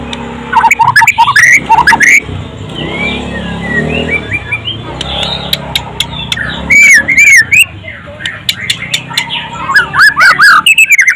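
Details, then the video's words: White-rumped shama, called golden-voiced and said to win often, gives loud, varied whistled song phrases in bursts, with quick rising and falling notes and sharp clicks, over a low background murmur. "golden voiced bird murai batu"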